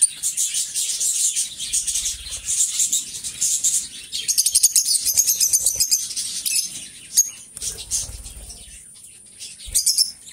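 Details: Two pet lovebirds kept together indoors, chirping constantly: dense, rapid, high-pitched twittering with bursts of scratchy notes, short quieter gaps, and low soft fluttering or movement thumps now and then.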